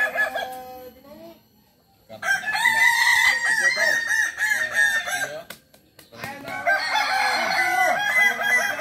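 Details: Kukuak balenggek rooster, a village chicken breed endemic to Tigo Lurah, Solok, West Sumatra, known for multi-level crowing of 3 to 19 steps. A brief crow opens, then silence, then long overlapping stepped crowing with a quiet gap near the end.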